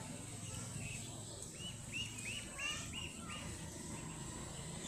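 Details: A brood of baby ducklings playing and exploring, giving a run of short arched peeps, about three per second, rising then dropping, over a steady low background hum.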